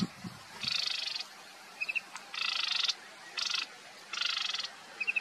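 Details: Marsh warbler singing: harsh, buzzy rasping bursts about half a second long alternate with brief high chattering notes, over a steady hissing background.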